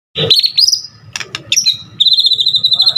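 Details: White-rumped shama, a full-repertoire song used to lure other shamas into singing: loud whistled and buzzy phrases near the top of the range, ending in a long rapid trill, with soft low background hum.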